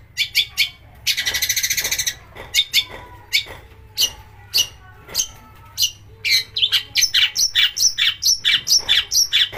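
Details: Long-tailed shrike lure song with harsh bursts to get shrikes singing: sharp chips, a rattling buzzy burst, soft whistles, then a rapid accelerating series of harsh slurred notes.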